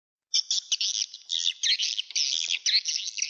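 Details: Swiftlet calls played through a speaker at a nest house to attract birds; dense, rapid, high buzzy twittering in overlapping bursts, almost continuous, with brief gaps between chattering runs.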